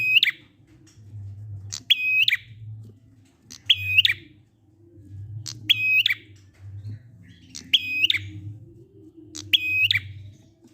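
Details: Prinia song in the ngalun style, a lure to set other prinias singing: six evenly spaced phrases about two seconds apart, each a short high note, a buzzing level trill and a falling end, over a constant low hum.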